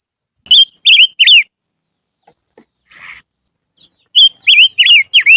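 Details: Whistled lure song of a silver-eared mesia: two phrases of three or four swooping, wavering notes, separated by a quiet gap with a soft hiss and faint taps.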